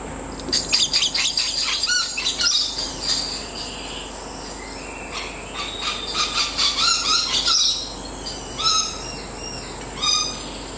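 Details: A pet parrot named Fing sings its own version of Jingle Bells, giving bursts of squeaky whistles and chirpy phrases in short tune-like clusters every second or two with brief pauses; faint background hiss.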